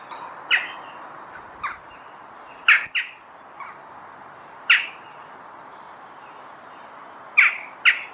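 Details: Western jackdaw repeating brief harsh calls, some loud and some soft, irregularly spaced, including quick doubled notes near the middle and at the end.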